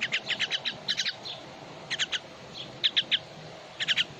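Common myna giving sharp, high chipping notes in quick bursts of two to five, with short pauses between bursts, over faint background hiss.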